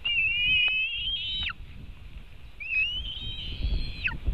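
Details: White-tailed eagle at a Latvian nest, webcam recording from 5:08 pm, 4 July 2018, as one eagle takes part of a fish from another; two strong, long, slightly rising whistles, each closing with a sharp downward slur.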